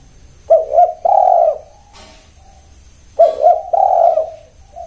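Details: Spotted dove cooing twice: each phrase opens with two quick, bouncing hollow notes, then a longer, steady, mellow coo that trails off, with a pause of about a second and a half between the phrases; a soft low hum is heard underneath.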